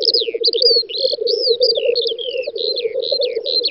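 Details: Several black grouse lekking on an open spring field, Volga federal district, western Russia, May 2019; continuous dove-like bubbling murmur underneath, with high looping and sliding whistles scattered across the top.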